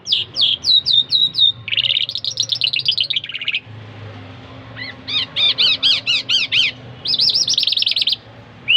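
High, bright chirps in quick bursts of rapid rising-and-falling notes, about two per second, separated by brief pauses, over a faint low hum.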